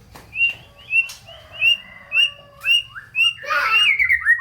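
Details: White-rumped shama in full, lively song used to spur lazy or unmotivated shamas into singing: a series of clear whistled notes near the same pitch, about two per second, ending in a rich rapid warble.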